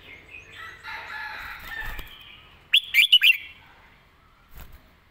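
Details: Red-whiskered bulbul: a brief, punchy burst of four or five clear whistled notes in the master-song style. Before it comes a longer blurred, rustling sound, and a faint knock follows.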